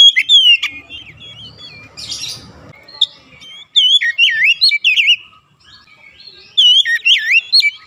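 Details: Oriental magpie-robin singing to stimulate caged birds, bright whistled notes sliding up and down in short rapid bursts, a harsh buzzy burst early on, then quiet gaps before more looping whistles.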